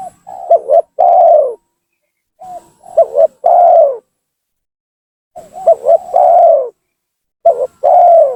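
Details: Lively spotted dove lure call used to draw down and agitate rival doves: soft lead-in notes, a quick stuttered pair, then a long descending coo, repeated four times with pauses.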